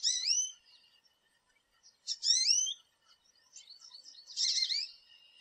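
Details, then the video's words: American goldfinch in a backyard where groups feed at a thistle and sunflower feeder; three high rising, slurred calls spaced about two seconds apart, the last one fuller and buzzier, with soft chips between. "American Goldfinch Call, Song And Sounds"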